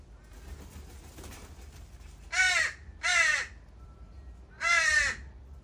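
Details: Juvenile crows left by their families at a feeding spot in the morning, begging: three loud, harsh, nasal caws, two close together then one after a pause, each slightly descending, over a quiet background.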